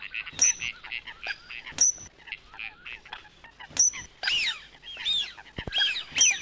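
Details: Sharp, high, explosive pitt notes from a coot ring out about every two seconds. Between them come softer nasal squawks and squeaky rising and falling whistles from other birds calling around them.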